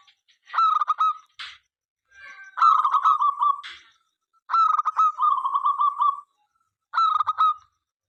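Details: Local zebra dove singing often to encourage other doves to sing; four staccato cooing phrases with trilled endings, separated by brief pauses, plus a couple of short noisy clicks.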